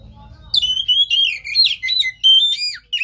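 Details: Oriental magpie-robin song meant to stimulate a caged bird lacking drive: a rapid flowing series of whistled, slurred and rough notes lasting about two and a half seconds, ending with a downward sweep.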